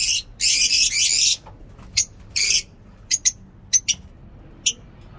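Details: Lovebirds kept in a mini zoo, giving a long harsh buzzy screech followed by short sharp high chirps and squeaks spaced irregularly over several seconds.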